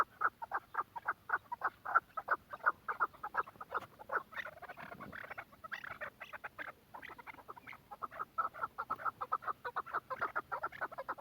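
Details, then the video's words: Quetta chukar partridge calling in excitement: a steady run of short, clipped chuk notes repeated several times per second, briefly breaking into a rougher jumble midway before the even rhythm resumes, with a faint low hum behind. "کوئٹہ چکور کی مستی کا شوق کریں be font of quetta partridge"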